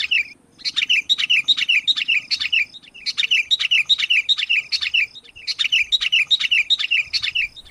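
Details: Sooty-headed bulbul lure call for attracting wild bulbuls: bright, bubbly chirping bursts of quick, high notes, each burst about two seconds long, repeating three times with brief pauses.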